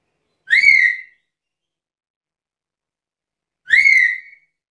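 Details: Black-capped lory, described as chatty and vocal and offered as a stimulating and tutoring sound for other birds, giving two loud, shrill, harmonic-rich calls that rise then level off, about three seconds apart, in silence.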